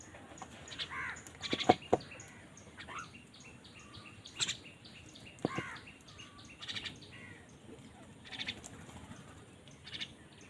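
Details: Crows squabbling over food give scattered harsh, arched caws of varying length, a couple of sharp loud clicks near the start, over a steady hiss of outdoor background noise.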